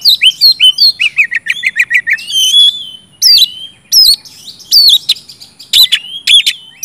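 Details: Oriental magpie-robin in loud song, played to stimulate silent birds: opens with a fast series of repeated chirps, then a long sliding whistle and spaced, sharp, harsh-edged phrases.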